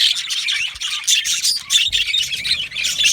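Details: Yellow male budgerigars in an aviary colony, loud continuous chatter of buzzy warbles and sharp chirps from many birds together.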